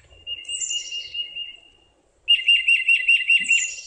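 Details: Titmouse song: a flat steady whistle, then a quick run of repeated two-syllable 'peter' notes, flatter in tone than a cardinal's piercing 'purdy', with fainter high notes above.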